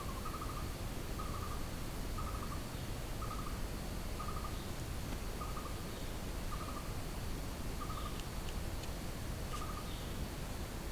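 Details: Blue-throated barbet singing in the jungle, repeating short, rolling mid-pitched notes about once a second, over a steady low rumble with faint higher chirps in the background.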